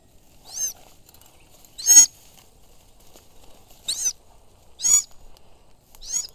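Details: Falconry Sulawesi goshawk out hunting gives five sharp, shrill, downward-sweeping screams, roughly one every second or so, against an otherwise quiet background.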